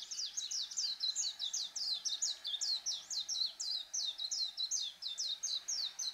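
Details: Warbling white-eye (Zosterops japonicus), song.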